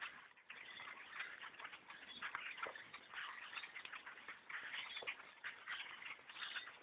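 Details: A massive black bird flock descends on a hunter's tree stand while bow hunting, an unbroken din of chirps and creaky calls swelling and fading in rough pulses.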